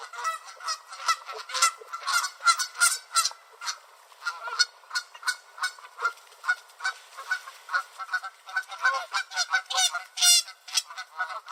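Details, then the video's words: Canada geese on a beach in Southern Ontario, Canada, loudly honking as they chase one another; a steady, rapid stream of harsh nasal honks, several per second, continuing throughout with overlapping voices. "Loud Canada Geese Chasing Each Other - Honking Sound"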